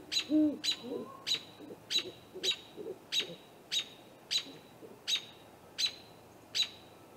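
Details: Great horned owl pair visiting a great gray owl snag tree nest at night, 8:50 pm on April 21, caught on a live nest camera; one deep, low hoot near the start, then fainter low notes, under a steady series of sharp high chirps about twice a second.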